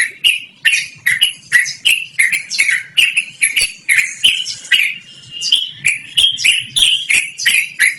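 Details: Loud, melodious rolling song of a yellow-vented bulbul, kept up for long stretches for luring or tutoring other birds: sharp chattering notes repeated about three times a second, with a smeared burst of sound near the midpoint.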